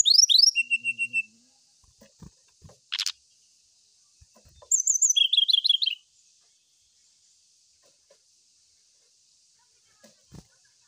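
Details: Brown-chested jungle flycatcher song aimed at a rival. A burst of descending whistled slurs ends in a short trill, a pause with faint clicks follows, then a fast series of bright, rapidly repeated chirping notes. A constant high hiss runs beneath.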